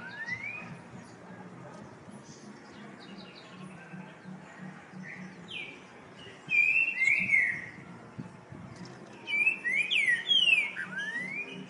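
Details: Song of a rufous-bellied thrush, with two loud bouts of rich, slurred whistles in the second half, each made of rapid rising and falling notes, separated by quieter stretches with soft distant chirps and a constant low hum.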